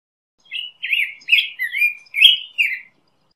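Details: A black-headed grosbeak delivers a warbling song of six sweet, slurred whistled phrases, rising and dipping in pitch, running together over about two and a half seconds, with silence around it.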